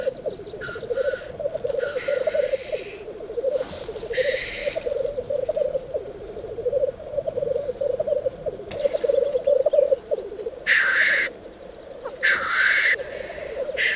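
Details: Lek of black grouse before daybreak, males courting females: an unbroken gurgling, bubbling coo throughout, with hissing sneeze-like blasts scattered at about two, four, eleven and thirteen seconds.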